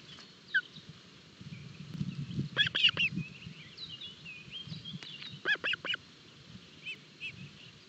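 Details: Osprey chicks fed early in the morning at a forest nest in Barlinek, 25 June 2022, on a live cam: two clusters of rapid piping whistles amid rustling, with small birds singing faintly behind.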